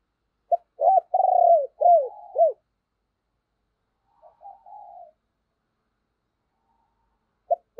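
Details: Decoy spotted dove urging rivals to coo: a loud run of five arched, bouncing coos with one long sliding note, then a quiet, drawn-out coo phrase and a fresh start at the end.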